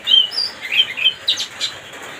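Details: Oriental magpie-robin phrase used to provoke another bird: a few high whistled notes followed by harsher buzzy chirps, all within two seconds.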